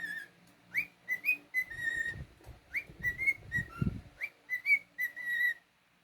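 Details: Pet cockatiel whistling a melodic tune of rising slurs and held steady notes, repeated in similar phrases, while a person speaks softly in the background.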